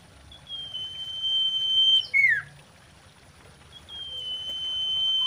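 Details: Female common iora calling in mating mood, a lure sound: a drawn-out steady whistle dropping into a short downward slur, then another long whistle begins.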